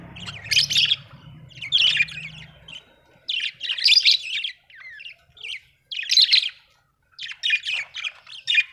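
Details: Happy budgie chirping: short bursts of grating, high warbled chatter repeated roughly every second, with a low hum early on that fades away.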